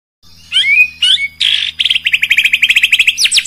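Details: White-rumped shama song played to anger rival birds: a few sliding whistled phrases, then a fast, even run of about twenty sharp repeated notes, ending in high rising whistles.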